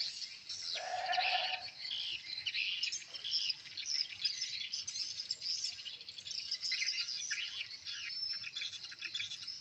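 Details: Swiftlets gathered at a newly built swiftlet house answer played lure sounds, Tripelqwin and a revised chick call: a steady wash of shrill overlapping chirps, with a brief lower bleating tone early on among the twittering.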